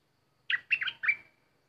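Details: Decoy bulbul singing while an uninvited visitor comes around: one crisp phrase of three liquid, warbled notes, rising and dipping, the final note stretched into a soft, steady whistle.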